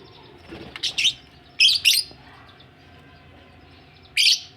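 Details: Budgerigars said to be ready for laying eggs give pairs of buzzy, scratchy chirps separated by quiet gaps, ending in one louder rasping note.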